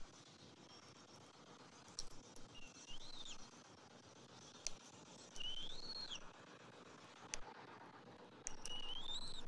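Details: Bald eagle nest, morning of 27 January 2024, with the father feeding the eaglet fish: sparse high whistles that curve upward, mixed with sharp clicks and taps against a low background hum.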